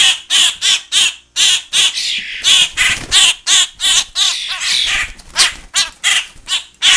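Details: Hand-reared fledgling grackles, grown big, mixed with young starlings, demanding to be hand fed in a cage. Harsh, hoarse squawks repeat rapidly, almost three a second, in an overlapping frenzy of chattering.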